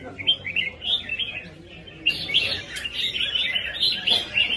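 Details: Red-whiskered bulbul from Vietnam's bird-keeping hobby, singing in a rhythmic competing or fighting style: bright warbled phrases of quick rising and falling notes, paused briefly, then resuming louder and denser with a steady run of chirpy notes.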